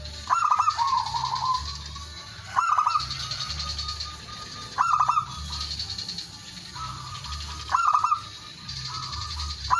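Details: Lure recording of a male zebra dove calling rivals: repeated coos, each a burst of sharp staccato notes followed by a bubbling trill, coming about every two seconds over steady background droning.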